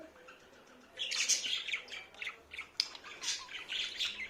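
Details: Talking budgerigar kept as a pet, starting after a quiet second with continuous fast, scratchy warbling, chirps and clicks that rise and fall in loudness and include a few sharp squeaks.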